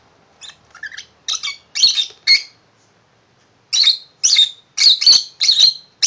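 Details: Tame pet lovebird, a male, singing happily indoors over a new shoe-box house given to him; harsh, buzzy squawking chirps in two bursts, short calls at first then a run of loud rasping notes after a brief pause.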